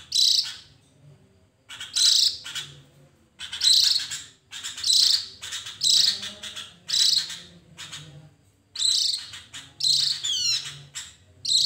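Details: Javan grey-throated white-eye (Heleia javanica), song: lure to provoke other birds into singing.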